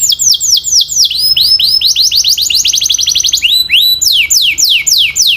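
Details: Canary training song, loud and clear: rapid sweeping downslurred whistles repeated several times a second in changing phrases, one short pure rising note near the middle, then quicker high descending sweeps.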